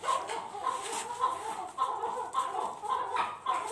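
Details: Fighting chukar partridge: short, sharp chuck notes repeated roughly every half second in a fairly even rhythm, each a clipped burst at the same middle pitch, with a faint murmur behind.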